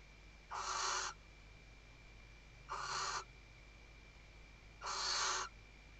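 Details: Wild female western barn owl on a nest camera in the Ebro Delta's Riet Vell reserve, Tarragona, Spain, 2023, calling to the male while arranging the nest: three rasping, breathy screeches about two seconds apart, with a low electrical hum underneath.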